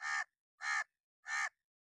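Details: Crow calling in an angry mood: three harsh, rasping caws given at a steady pace, one every two-thirds of a second, signalling alarm or warning.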